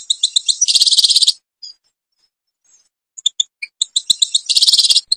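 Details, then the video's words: European goldfinch song from Algeria, in the Babas forest, Tiberli: two bursts of fast buzzy, tinkling high notes, separated by a quiet gap with a few scattered chirps. "canto jilguero argelia"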